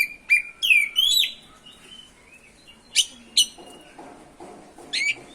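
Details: Oriental magpie-robin song in continuous ngerol style, used to provoke other magpie-robins into singing: sharp, clear whistled notes and short slurred phrases, spaced out with pauses, against a quiet background.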